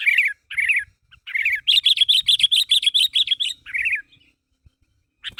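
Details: Sooty-headed bulbul calling its fellows to make them call back: a few short warbled phrases, then a steady string of about ten bright repeated notes, ending with another warble.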